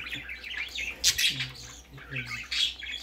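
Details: Baby budgerigar on its first time going out: short chirps and squawky notes in bursts, with a brief louder chirp near the middle, over a faint low hum.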